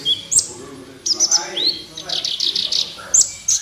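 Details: A sunbird called kolibri ninja sings in a training recording for caged birds: sharp, very high chips and a rising whistle, then a rapid run of five scratchy notes and more piercing chips.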